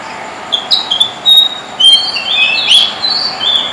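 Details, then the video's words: At night in Dombivli town, Maharashtra, India, a white-spotted fantail sings a lively run of high, clear whistled notes, some rising and some falling, delivered in an irregular jaunty sequence above faint background hiss. "White-spotted Fantail Rhipidura albicollis singing in night"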